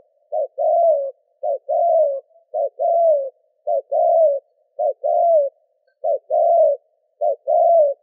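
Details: Spotted dove cooing to stir up wild doves, with a fast run of about seven paired phrases, each a clipped low note then a drawn-out hoarse coo, evenly spaced over eight seconds in otherwise silent surroundings.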